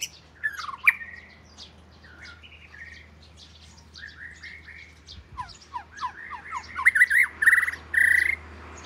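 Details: Oriental magpie-robin of southern Thailand, first bird kept at home, in a rambling medley of mid-pitched slurred whistles, short pauses, then a quickening series of upslurred notes ending in loud repeated phrases over a steady hum.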